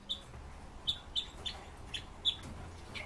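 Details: Red-billed leiothrix, a kept bird, calling with six crisp high chip notes spaced about a third of a second apart, over a faint low hum.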